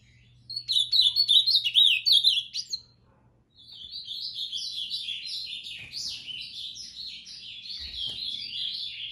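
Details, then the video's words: Ultramarine grosbeak in moicano style: a loud opening phrase of chirpy slurs, a second of silence, then a longer, softer rambling warble of quick rising and falling notes. "Azulão moicano"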